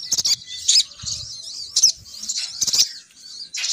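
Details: Female crimson sunbird lure call, meant to draw males down: thin, very high chirps and twitters in short bursts, broken by sharp clicks and soft fluttering sounds.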